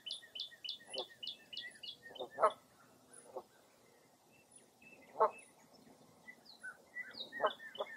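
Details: A lakeside chorus in Baraboo, Wisconsin on a foggy April morning: a quick string of high chirps, then rough cawing calls repeated every few seconds between thinner whistled notes.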